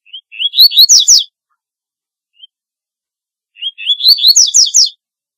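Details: Two song phrases from a double-collared seedeater, each a string of rising thin whistles building into loud, rapid, descending sweeps, separated by about two and a half seconds of quiet.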